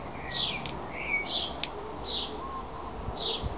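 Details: Male great tit (Parus major) at feeding time, flying in and out of a backyard birdhouse in Veghel, the Netherlands, gives short, high chirping notes, some with quick downward slurs, about once a second over a steady background hiss.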